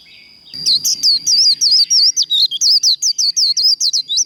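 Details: Japanese white-eye fired up for 'líu đấu' contest song. A thin high tone gives way to a brisk chain of sharp, wavering whistles over nearly four seconds, with faint low rustling early on.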